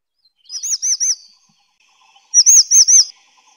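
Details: Grey-chinned minivet calling in two bursts of three high arched whistled notes each, the second burst louder, about a second apart, with faint bird twitters behind.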